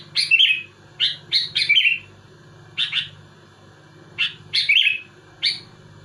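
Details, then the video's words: Kutilang, the sooty-headed bulbul, singing rapidly to pressure and agitate rival bulbuls; clustered bright, slightly buzzy chirps in pairs and triplets spaced roughly a second apart, with a constant low electrical hum beneath. "Suara burung kutilang gacor muntahin isian tembakan rapat menekan lawan bikin kutilang lain emosi"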